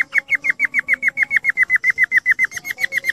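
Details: Budgerigar chattering: a rapid, even string of short, sharp chirped notes, about four per second, with faint softer twitters underneath.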